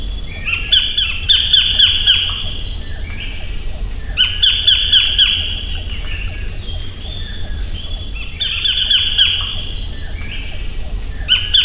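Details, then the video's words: Collared (white-collared) kingfisher (Todiramphus chloris) call: harsh, loud bursts of four or five rapid grating notes, repeated about every four seconds, over a steady high insect drone. "白領翡翠/White-collared Kingfisher(Todirhamphus shloris)call"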